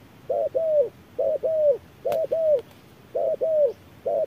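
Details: Spotted dove fighting an electronic decoy by voice in harsh midday heat. Repeated low two-note coos, each a clipped note followed by a longer falling coo, with a single sharp click partway through.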